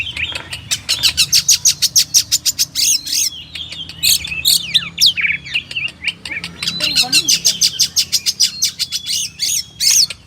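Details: Oriental magpie-robin, locally kacer, in a masteran recording: fast runs of sharp ticking chips, about three a second, broken by twisting whistled and scratchy phrases, then another rapid chip series.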